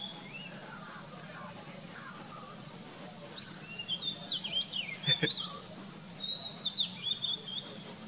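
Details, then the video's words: Oriental magpie-robin singing a varied run of clear, high whistled notes and quick slurred phrases, strongest in the second half, over a low steady hum. "Oriental Magpie Robin Biography And Sound"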